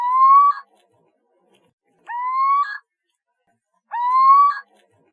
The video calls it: OWLET SOUND